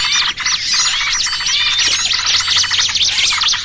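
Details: Small-bird trapping lure combining noisy trucukan calls with pinched small-bird cries: a packed wall of sharp, high, looping chirps and whistled slurs, overlapping without break, with a faint low hum beneath.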